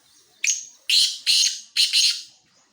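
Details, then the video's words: Male black francolin (kala teetar) from Khushab giving its breeding call: a harsh, grating opening note followed by four loud rasping notes in quick rhythm, the last two run close together, over a quiet background. "kala teeter ki awaz"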